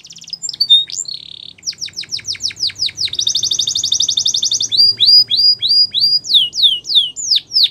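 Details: Canary singing a varied high-pitched song: quick whistled notes, a short buzz, then rapid rolling trills of down-slurred sweeps and a long dense buzzy trill, with repeated swooping notes to close.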